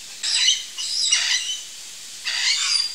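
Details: Curl-crested jay (Cyanocorax cristatellus) in a backyard with fruit, giving three harsh, raspy squawks, each about half a second long with short gaps between, loud and noisy in the upper range.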